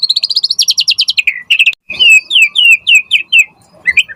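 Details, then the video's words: White-rumped shama (murai batu) singing persistently: a rapid run of high, pulsed trilled notes, then a series of clear slurred whistles repeated about every quarter second, ending in short rising notes. "Pancingan Murai Batu Gacor Auto NYAUT cepat RESPON"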